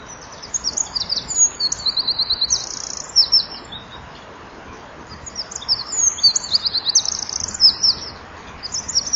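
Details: Eurasian wren giving an evening concert at dusk in January 2014, 17:33, at a nest-wall camera, its wings fluttering. Two long outpourings of loud, very high, rapid warbled trills are separated by a short pause.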